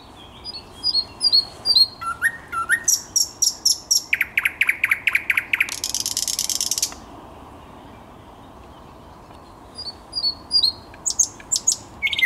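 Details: Thrush nightingale, 10 May 2021: a long strophe of high whistles, staccato notes, a pulsing low repeated phrase and a buzzy rattle, then a pause and a new strophe of high whistles and clicks.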